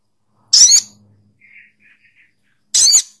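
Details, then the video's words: Two loud, raspy screeches from a sogok ontong bird, about two seconds apart, with faint short chirps between them. "Suara Burung SOGOK ONTONG"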